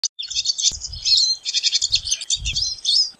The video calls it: Pine Siskin Song! Pine Siskin Call! Pine Siskin Sound! - Jilguero De Los Pinos Canto